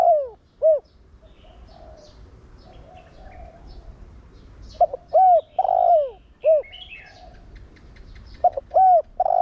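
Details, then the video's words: Decoy spotted dove giving its Thổ Đồng voice to excite wild doves into cooing: soft low coos in repeated phrases, short hooked notes and a long falling coo, with thin chirps of other small birds in the background. "Cu gáy Giọng Thổ Đồng Gáy Gọi kích bổi nhanh gáy/cu gáy mồi kích bổi mau nổi"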